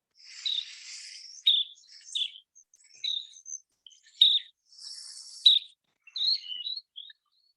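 Least Sandpiper flight calls: thin, high, rising 'preep' or 'eat' notes given singly or in short bursts every second or so, with soft buzzy hissing between them.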